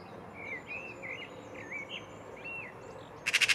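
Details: Eurasian magpie (Pica pica) taunting a cat in Île-de-France, France, April 2023: a harsh, rattling chatter of four rapid notes at the end, after soft, wavering whistled notes from another bird.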